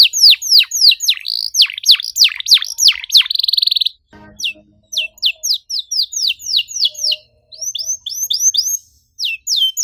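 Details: Canary lure song with dense 'cuit cuit' phrasing: sweeping descending chirps and a short buzzy trill, a faint knock, then scattered sharp whistled notes with brief gaps.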